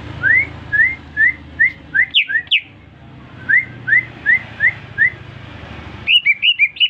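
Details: Greater green leafbird, just purchased, breaking into song after whistling: rows of evenly spaced upslurred whistled notes, interrupted by sharper high chirps, ending in a quick burst of bright twittering notes.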